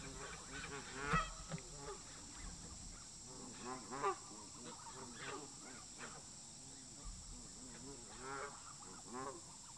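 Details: During a fight between local park geese and migrating visitors, scattered loud nasal honks rise out of a murmuring flock, a couple of abrupt strong calls near the start, over constant background hiss.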